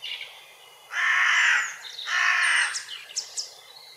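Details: Hooded crow in Grmoščica Forest, Zagreb, gives two long, harsh, rasping caws about a second apart, followed by faint high chirps from small birds.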